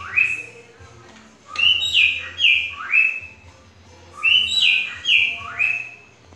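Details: Cockatiel imitating green-winged saltator song: two runs of bright whistles, each opening with a low rising slur and climbing into ringing descending notes, separated by a brief pause, over a faint background hum.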